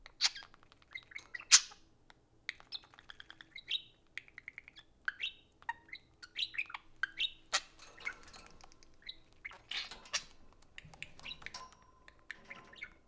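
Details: Pair of pet budgies interacting around an iPhone. A long stretch of twittering warble mixes rapid clicks, brief whistles and scratchy squeaks in irregular bursts, with a steady soft tone late on.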